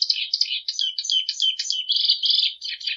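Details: Song of the plumbeous seedeater, clear and free of noise: a continuous stream of quick, varied chirps and warbled slurs, some buzzy and some whistled, about three notes per second.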